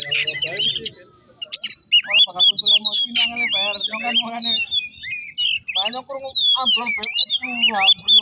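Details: Oriental magpie-robin song used as a singing lure: loud, varied whistled phrases and sweeping slurs over a steady run of lower, buzzy harsh notes, continuing with few pauses.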